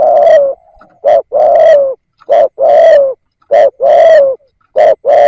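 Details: Spotted dove decoy coos steadily. Short notes alternate with longer, deep, slightly falling hoots in a regular rhythm, with no other sounds.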